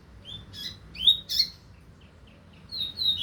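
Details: Double-collared seedeater, 2025 season, with a softer, broken passage: a few scattered high chips and slurred notes, a louder pair of bright notes, then faint twitters and closing rising buzzy notes.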